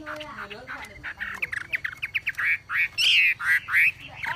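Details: ['Javan pied starling in a masteran tutor recording: soft low chatter builds into loud, harsh, squawky notes repeated rapidly and unevenly.']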